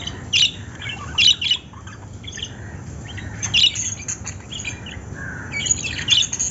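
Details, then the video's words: Lovebirds calling with sharp, high squawks in short bursts roughly every second, scattered softer chirps between, over a steady low background hum. "love birds sound"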